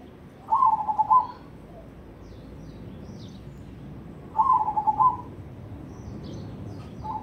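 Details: Crossbred zebra dove of black cemani colouring singing in the Ketekdobel rhythm style: two bursts of quick, pulsed cooing notes, each under a second and level in pitch, about four seconds apart. A third phrase starts at the end. Faint high chirps from other birds sit in the background.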